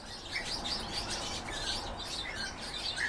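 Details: Hybrid of goldfinch and canary giving a rapid, jumbled twitter of high chirps with a few clearer whistled notes, over faint low background noise.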